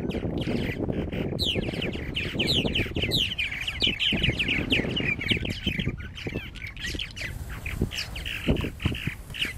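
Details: A purple martin colony at its nesting gourds at Lake Mackintosh, Gibsonville, North Carolina, chattering in a dense stream of quick gurgling, chirping notes from several birds; low wind rumble is heard for the first few seconds.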